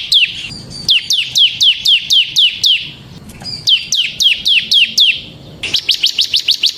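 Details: Semi bar-winged prinia in a cage, song used for luring and tutoring birds: long runs of loud, sharp downslurred chirps at about four per second, ending in a faster burst.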